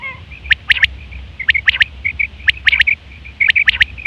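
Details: Female quail giving quick clusters of sharp, high, clicking notes roughly every second, with short thin whistled notes between the bursts, over a faint low hum.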